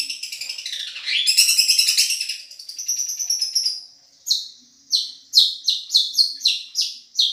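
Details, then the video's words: Long-tailed shrike of the Madura type, a champion-quality singer used as a tutoring recording: dense high chattering twitters, then sharp descending chirps repeated about every half second. "Masteran | Suara Juara Nih!!! Cendet Madura"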